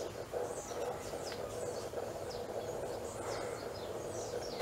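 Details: Fork-tailed woodnymph in a home garden in Planaltina, Federal District, Brazil, where it has perched on the same branches for about five years: thin, high, quickly falling chips every half second over a steady low hum.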